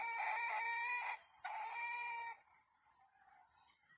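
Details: Crow of a red junglefowl heard on a forest trapping trip, two drawn-out harmonic phrases split by a short gap, with steady high insect buzzing behind.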